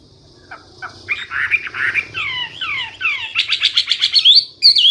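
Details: Hwamei (wambi) song: soft opening notes, then downslurred whistles, then a fast burst of repeated ringing notes ending in high, piercing whistled flourishes.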